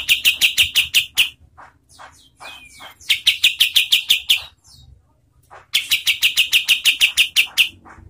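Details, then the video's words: Kapas tembak in steady song, meant for training contest birds: three rapid trains of hard, high, clicking notes, each about a second and a half long, with softer scattered chips and a brief down-slurred whistle between them. "SUARA KAPAS TEMBAK untuk MASTERAN BURUNG LOMBA"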